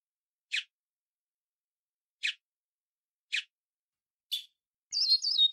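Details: A great-billed seed finch sings a short "flauta Araguari" style song used to train young birds: sharp, high separate notes, then a quick warbled whistled phrase.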